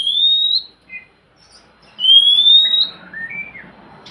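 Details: Oriental magpie-robin song to prompt a lazy bird to sing: two long rising whistles, a brief double note between them, then a soft wavering trill fading out.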